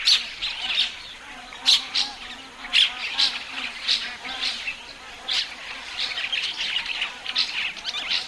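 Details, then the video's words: Common starling song: dense chattering bursts and scratchy notes, with sharp clicks repeated about once a second, over a steady high hiss. "Скворец. Часть 2. Голоса птиц"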